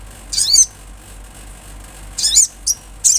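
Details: Olive-backed sunbird singing actively, a natural recording: two bursts of very high, thin, downslurred notes, the second followed by short sharp chips, with quiet gaps between.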